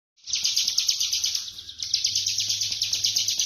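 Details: Bar-winged prinia singing in the rapid, dense ngebren style: after a brief silence, a high, shrill chattering stream of fast notes surges in pulses about three times a second and never pauses, over a faint low hum.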